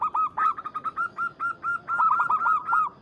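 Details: Zebra dove, local perkutut, calling a rival to rouse it into song: a dense, continuous run of loud, hooked cooing notes at a steady mid pitch, repeated about four times per second throughout.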